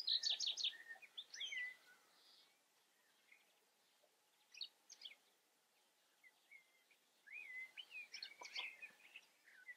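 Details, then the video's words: Common chaffinch singing: a rapid cascade of repeated high notes dropping in pitch with a twisting end phrase, followed by scattered chirps and whistles from other birds and another busy burst of song later. "Common Chaffinch sings. Buchfink singt"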